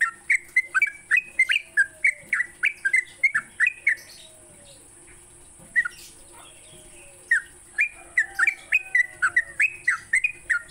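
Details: Sooty-headed bulbul morning song for training songbirds, a burst of rapid chirpy whistles, a quiet gap of a few seconds with faint soft calls, then the bubbly run resumes.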